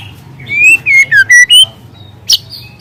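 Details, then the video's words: Wild young spotted-plumage white-rumped shama singing loud, long canary-like phrases: a string of clear whistled notes sliding between high and lower pitches, then a short sharp high note after a pause. "Suara asli murai lepas trotol dengan tembakan kenari panjang dan keras"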